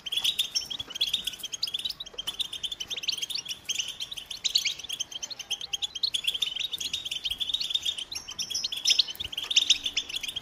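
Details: European goldfinch delivering a continuous tinkling song of rapid chirps and rolling trills, interspersed with a few buzzy, slurred notes and occasional sharper accents near the end.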